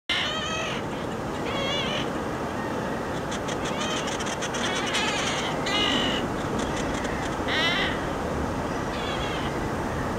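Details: Inca tern recorded at Cañete, Lima, Peru, dated 09-10-15: several nasal, wavering, cat-like mewing calls, some with quavering harmonic bands, spread across ten seconds over a constant loud roar of surf.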